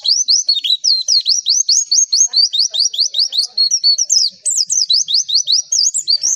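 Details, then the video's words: High, rapid chirping of a Javan white-eye used as a training lure to draw replies, with quick rising-and-falling whistled notes, about two or three each second, running on without a break. "MASTERAN AMPUH PLECI, Klik sekali semua pleci pasti nyaut"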